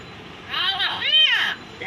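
A myna gives a loud, rich call of arched, rising-and-falling notes over about one second, with a speech-like quality, then a brief fainter note.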